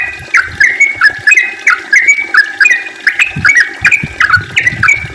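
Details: Energetic yellow-vented bulbul, singing steadily to lure others into song: sharp, bouncing two-part notes repeated in an even, quick rhythm.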